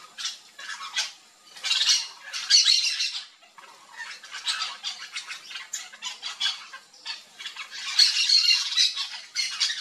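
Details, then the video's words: A flock of Yellow-chevroned parakeets (Brotogeris chiriri) feeding on fruits in a Brazilian backyard chatter with harsh, high, shrill squawks in rapid overlapping bursts with no steady rhythm. "YELLOW-CHEVRONED PARAKEET flock"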